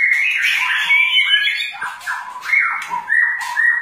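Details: White-rumped shama, a long-tailed magpie robin, sings a rich run of varied whistled phrases with warbled and slurred notes that rise and fall, delivered almost continuously.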